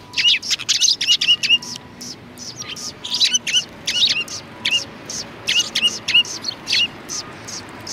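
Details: Sparrows greeting a visitor outside a cultural hall, 7 February 2020. Steady, lively chirping runs the whole time: short high notes tumbling over one another in bunches, with a faint low hum underneath.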